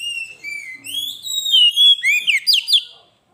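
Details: Gacor kacer, the Oriental magpie-robin, delivering masteran pancingan song: smooth drawn-out whistles rising in pitch, building into five loud, quick, sharply slurred notes before falling quiet.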